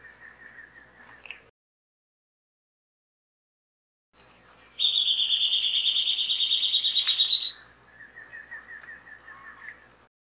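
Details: Rufous gnateater: soft lower chirps, a gap of silence, then a loud, fast, high trill of rapid uniform notes lasting nearly three seconds, trailing off into quieter chirps.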